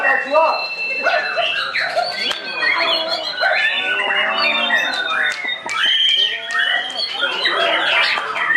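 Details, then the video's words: White-rumped shama in training, first loud full song after moulting: dense, varied stream of rapid whistles, slurred notes and harsh squawky phrases, layered and continuous, with sharp ticking bursts high up. "Perdana Gantang Pasca Mabung MB"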